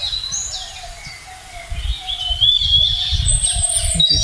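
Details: Many parakeets in a forest, perched just overhead, give "crying" calls: shrill, high, scratchy overlapping screeches repeated several times a second, with a man talking and low rustling and handling noise underneath.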